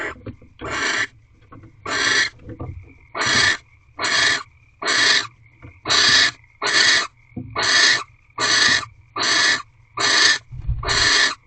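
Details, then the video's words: Barn owl mating ritual at an owl box after dark, 3 March 2023: about eleven harsh, breathy screeching hisses, each roughly half a second, repeated close to once a second over a faint steady hum. "Barn Owl Mating Ritual 14th Night"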